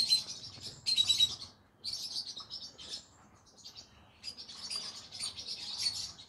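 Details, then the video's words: Pet green-cheeked conure parrot vocalizing in the evening: bursts of harsh, buzzy high chirps and squeaks in clusters with brief pauses between. "come hear me sing together Green Cheek Conure Parrot Bird"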